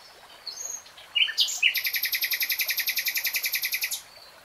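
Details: Common nightingale song: a few scattered chirps, then a long, loud, mechanical trill of evenly spaced rattling notes lasting over two seconds before breaking off.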